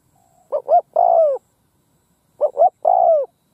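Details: Decoy spotted dove calling in an open field to lure wild doves, 'gù phóng' style: two phrases, each two short hollow coos followed by a longer, slurred, falling coo, with quiet gaps between.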